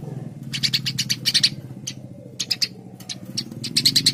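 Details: Eurasian tree sparrow singing: bright, clipped chirps in quick clusters, some doubled, with pauses between bursts, over a steady low hum throughout.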